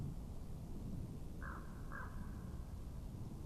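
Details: Common raven heard from an Estonian webcam in 2017: two hoarse croaks half a second apart, fairly distant, beneath strong low-frequency wind rumble.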